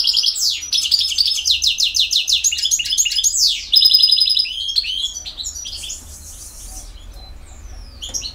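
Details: Song of a field-type European goldfinch from Bosnia and Herzegovina: rhythmic rapid down-slurred twitters and trills, fading into softer scattered notes near the end.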